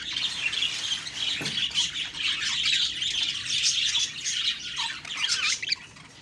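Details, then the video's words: Budgies on an October 2, 2023 morning keep up a steady, bright warbling chatter of high chirps and squeaks, with one soft low knock early on. "Beautiful morning birds chirping sounds/Budgie sounds"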